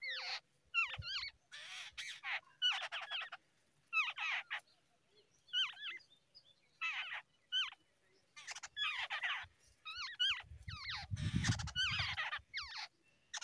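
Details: Babbler bird feeding its babies in the early morning; short bursts of harsh, squeaky chatter come about once a second, with a low rumbling noise near the end.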